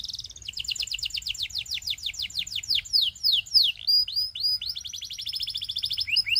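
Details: Belgian canary performing a song for coaching young canaries: a long chain of quick, high descending chips that speeds up, slows into slurred notes, then races again in a steady trill.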